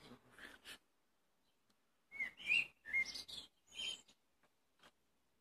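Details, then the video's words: Singing blackbird: short chips, a pause, then a fluty whistled phrase of several slurred notes ending in high, squeaky twitter. "Black bird singing"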